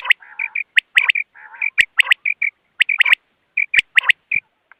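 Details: Common quail sounds used in quail trapping. Quick sharp triplets and soft paired notes are interleaved with low, grating, duck-like buzzes throughout.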